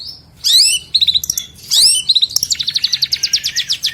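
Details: Long-tailed shrike in rich song material from 2022: a squealing slurred phrase twice with clipped notes, then a long, steady series of sharp high ticking notes.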